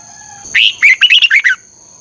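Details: Red-whiskered bulbul singing in the morning with a double-twisted 'ché căng lửa' voice, recorded as a lure for training birds. A single bright, choppy phrase of about seven whistled notes falling at the end, with a steady thin whine behind.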